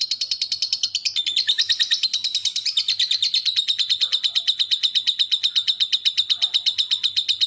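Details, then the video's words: Lovebird singing ngekek for a master recording, its fast, tight chatter meant to set silent birds answering: a sustained, dense, high-pitched chattering trill, harsher and noisier early on, then settling into evenly pulsed chatter. "Masteran Lovebird Ngekek santai dilanjut speed rapat burung diam pasti nyaut"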